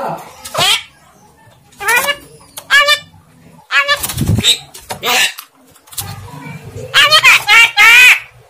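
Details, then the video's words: Javan myna mimicking speech, not clearly: a string of short wavering harmonic syllables and raspy bursts in irregular runs, with brief squeals at the end. "jalak kebo ngomong ORA CETHO"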